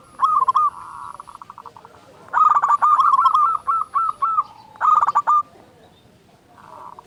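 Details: Zebra dove lure song with a big voice: trilled, rolling coo notes in rapid stuttered series, a long phrase then a short one, with softer purring notes around them.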